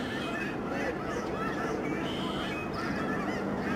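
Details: Thousands of snow geese circling down over their winter home in Delta, British Columbia, Canada, in March 2011, produce a thick, unbroken wall of shrill, nasal honking.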